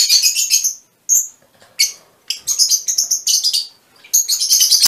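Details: Fischer's lovebird, mutation form, trading high shrill chirps and short chattering runs, with separate squeaks and little pauses between bursts.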